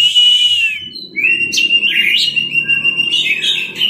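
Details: Teler song of an Orange-headed thrush for masteran: a sustained whistle falling slightly, followed by a continuous flow of warbled, rising and falling notes over a low background hum.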